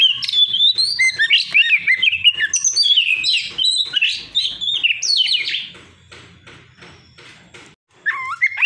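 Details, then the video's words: An old Oriental magpie-robin (white-breasted form) sings a rich, rapid run of varied whistles and chattering notes for about five seconds, fades out, then returns with a brief phrase. "suara burung kacer tua"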